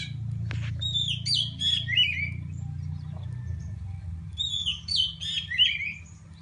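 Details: Oriental magpie-robin from Pidie, Aceh, seeking an opponent: two bursts of rich whistled phrases with slurred up-and-down notes and a falling end, over a constant low droning hum.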